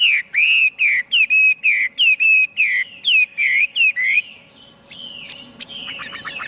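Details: Song of a Chinese hwamei: a run of about a dozen repeated falling whistled notes, then a short pause followed by softer varied chirps and a trill.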